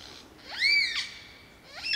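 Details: Superb lyrebird singing in Bartlett Olinda State Forest Reserve: loud, clear whistled notes that sweep up and then arc down, followed after a short pause by another rising whistle, with a quiet background.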